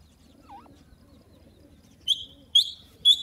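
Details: Young grey francolins, known locally as desi teetar, playing and exploring with a parent bird; three short, sharp high chirps spaced about half a second apart follow a single faint lower note.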